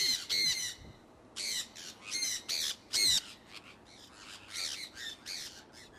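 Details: Iowa conures, a pet flock, flying outside in early spring 2003. Shrill, buzzy squawks come in clusters of two or three, with loud strident bursts at the start and near the middle and fainter calls trailing after.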